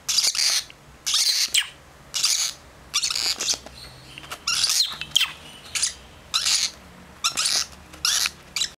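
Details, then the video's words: Young lovebirds of a second clutch in a home setting, giving regular harsh wheezing bursts roughly every half second to second, a persistent rasping chorus throughout. "2nd Batch of Baby Lovebirds"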